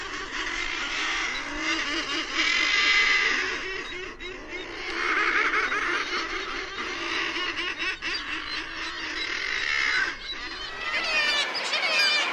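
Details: Thick-billed murre, or Brünnich's guillemot, heard as a dense chorus of harsh, laughing, growling calls overlapping continuously, with nasal cackling bursts rising and falling throughout.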